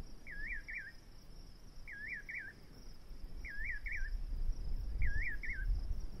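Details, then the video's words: Repeated nightjar phrases, each a pair of looping, whistled notes, given four times at steady intervals of about one and a half seconds, with a continuous insect buzz and a rumbling low background. "Nightjar bird | liibaan garabey | ugubi"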